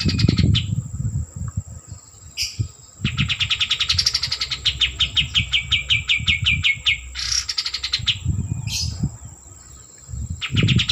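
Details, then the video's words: Singing white-eared bulbul, actively vocal, pouring out long rapid trains of short, sharp chirps that drift slowly lower, broken by a few single higher notes and quiet gaps, with low rumbling noise and a faint constant high tone behind. "Kapas Tembak Gacor - Suara Asli"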